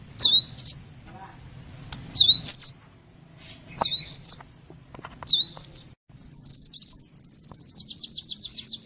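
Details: Sunbird song used as a training recording for songbirds: short looping whistled phrases, high and thin, repeated about every one and a half seconds, ending in a fast rattling trill of rapid pulses.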